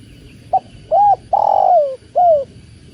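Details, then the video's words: Spotted dove (tekukur) calling beside running water: a short clipped note, an arched coo, a long falling purr, then a final rounded coo, all low and mellow over a steady soft water hiss. "Slow living starts here… with tekukur and the sound of water"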